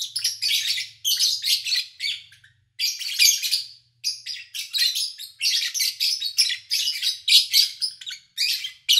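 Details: Pet lovebirds recorded in August 2019 over three days while their owner was away, little human noise: continuous loud, raspy, high-pitched chirping in rapid clustered bursts, with a faint low hum in the background early on.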